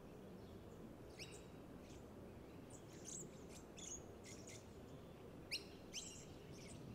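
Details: Little lorikeet (Glossopsitta pusilla) calling at Marstaeller Rd Reserve, Mount Crosby, south-east Queensland, on 3 May 2023: short, high, shrill screeches and zitting notes, irregular and some in quick pairs, over a steady low rumble.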